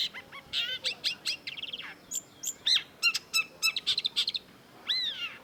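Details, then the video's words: Long-tailed shrike singing a varied phrase: quick stuttered notes, buzzy trills and ringing whistles around mid-high pitch, with a slurred rising-falling note near the end. "cendet gacor MASTERAN CENDET DURASI PANJANG || Long-tailed Shrike"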